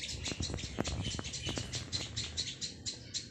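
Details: Begging Plaintive cuckoo chick giving quick scratchy high chirps, roughly five per second, mixed with light tapping and rustling knocks underneath.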